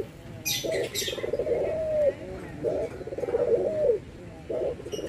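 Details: Soft, buzzy cooing of a Barbary dove, white and brown birds compared: a short burst followed by a longer vibrating coo that rises slightly and ends, repeated three times, with faint chirps early on.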